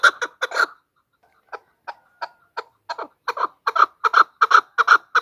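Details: Female chukar used as a lure for hunters: a brief burst of clucks, a short silence, then isolated soft chuk notes that accelerate into a loud, rapid chattering run.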